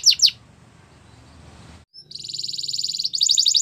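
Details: Canary training song: two sharp falling notes, a near-silent pause with faint hiss, then a fast buzzy trill that grows louder and shifts into a second, more pulsed rolling tour.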